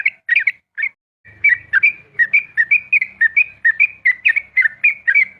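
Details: Dawn 'ropel' song from a trucukan, or yellow-vented bulbul: a few scattered chirps, a pause, then a steady run of whistled, slurred notes, about three per second, over a faint low rumble.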